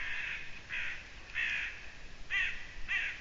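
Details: Eurasian eagle-owl on 6 June 2017, evening at 20:28: five coarse, rasping screeches at irregular intervals, each short and hoarse, with a faint steady background hiss.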